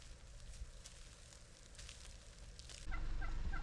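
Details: A Gould's wild turkey from a strutting flock in Madera Canyon, southern Arizona, where toms display during the mating season, gives a brief, loud, rattling gobble near the end, after a stretch of low rumbling background noise.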